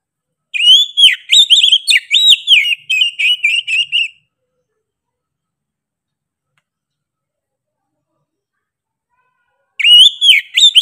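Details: Persistent Oriental magpie-robin song: a long run of ringing whistled phrases with rising and falling slurs lasting about three and a half seconds, then a long silence before another whistled burst begins.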